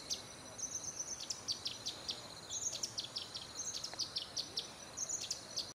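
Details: A male orange-bellied leafbird (Chloropsis hardwickii) in sub-montane forest in Pahang, Malaysia, 6 March 2011, before sunrise, sits still giving a mating call: a lively run of high, sweet chips and short warbled notes, several each second, over a faint insect hum.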